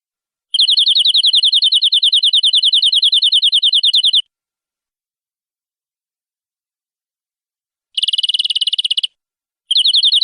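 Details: Canary (kenari) song in the long-duration gacor, nembak style used as masteran training song: a fast, even rolling trill about three and a half seconds long, then silence, a short harsher buzzy burst, and another trill starting.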